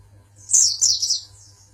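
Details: Oriental white-eye, a champion singer from Pangandaran, gives one brief, very high, squeaky twittered phrase of two joined chirps, fading quickly, with a faint low hum beneath.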